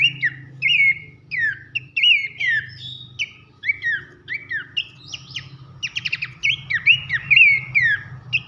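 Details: Masteran recording of Abbott's babbler for training contest birds, loud nyiul whistling: a steady series of swooping whistled notes, roughly two per second, with one rapid buzzy rattle late on, over a faint low drone.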